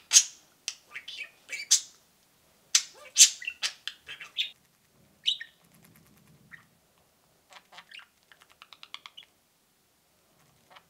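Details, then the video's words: Two pet budgerigars peeping and cheeping indoors: sharp high chirps and short warbled notes in quick bursts over the first five seconds, then sparser soft clicks and a brief rapid ticking series. "peeping and cheeping"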